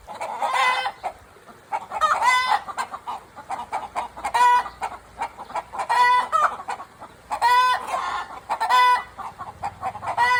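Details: Chickens recorded at Takumi no Yakata Mori no Suizokukan give loud, nasal, harmonic notes in uneven bursts roughly every one to two seconds. Several overlapping voices are heard, with softer clucking between the louder calls.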